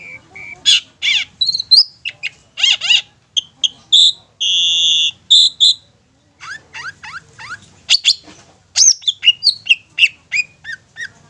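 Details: Long-tailed shrike call used to lure young or wild shrikes, a varied run of high notes: short chirps, steady whistled tones, quick downslurred and upslurred sweeps in irregular sequence, with a faint low background hum.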